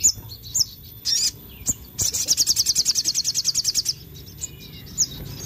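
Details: Sogon singing at full volume, said to provoke other birds: a few high chirps and a brief burst, then a long machine-gun run of evenly repeated high notes for about two seconds, followed by sparse chirps.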